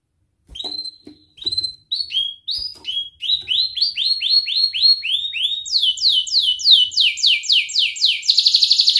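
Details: Canary training song for young birds learning to sing, in the ngerik, cuit-cuit and ngerol style: separate whistled notes give way to fast rising-and-falling sweeps, then a quick, bright, high trill at the end.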